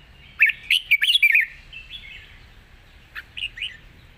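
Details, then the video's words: Red-whiskered bulbul singing a long, light-voiced song with chatter in a wild style; a quick, lively cluster of warbled whistles opens, followed by quieter drawn-out notes and a few brief chirps. "เพลงยาว ปากเบา ร้อง+ริก /สำนวนป่าๆ #นกกรงหัวจุก"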